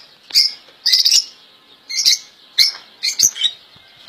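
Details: European goldfinch, a caged royal goldfinch with error-free song: a few separate bright, tinkling chirps and short twitters, spaced about half a second to a second apart.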